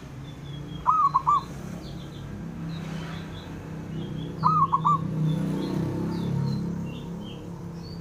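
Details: Calling male zebra dove, voiced to goad rival birds into answering; two clipped, bouncing coo phrases about three and a half seconds apart, set against steady low traffic-like rumble and scattered twittering of small birds.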